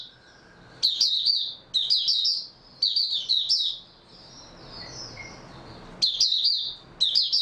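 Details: Mata puteh, the oriental white-eye, reportedly well rested after a good night's sleep, delivers several short bursts of high, thin, tumbling chirps separated by pauses filled with faint soft warbling.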